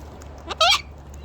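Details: Several cockatoos come in for an early afternoon feed: one brief grating squawk, preceded by a softer rising note, standing out against a quiet steady hum.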